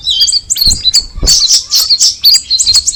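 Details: Straw-headed bulbul producing quick, high twittering phrases: clusters of sharp chirps and short whistles, with a couple of faint low thumps underneath.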